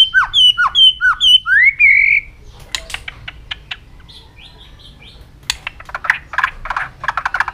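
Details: White-rumped shama training song to spur it to sing many voices, fast and intense: a run of sharp, repeated, downward-swept whistles, then a rising slurred note, followed by quieter scattered clicks and a burst of buzzy notes.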